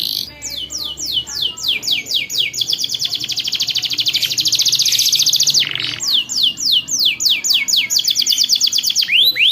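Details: Long-rolling canary tutor song for young canaries learning their notes: clear descending sweeps accelerating into a rapid buzzy trill, a short break, then more down-slurred whistles and rising notes; faint low hum early on.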